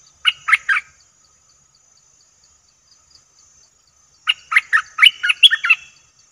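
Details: Streak-eared bulbul call, recorded as a lure for wild birds: a short burst of three quick chattering notes, then after a three-second pause a longer run of rapid, bubbly, slightly harsh notes rising in pitch toward the end.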